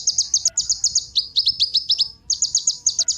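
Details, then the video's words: High, rapid chattering of a kolibri ninja sunbird, used to coax other birds into song: a near-continuous stream of sharp chips, dipping slightly in pitch midway, then resuming after a short pause. "Kolibri Ninja Pancingan Penggacor Burung Cocok Buat Isian Segala Burung"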